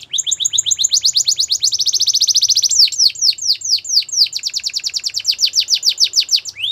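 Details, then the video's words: Song of a Russian canary: long, regular rolls of quick repeated notes, speeding into a dense trill, then a steady run of sharply falling slurred notes. "Russian Canary Singer"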